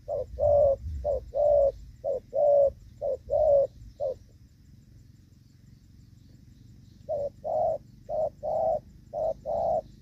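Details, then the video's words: Spotted dove giving the 'gù vấp' coo, used as a decoy while trapping wild spotted doves in the rainy season, 23 July 2024. It makes a quick run of short, hollow, repeated coo notes, pauses about three seconds, then delivers another run. The background is quiet. "Gù vấp"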